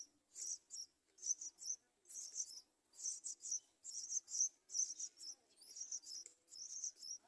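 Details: Yellow-vented bulbul young being fed by adults: rapid bursts of high, harsh, hissing chatter, about a dozen in quick succession with short gaps, steady and insistent throughout.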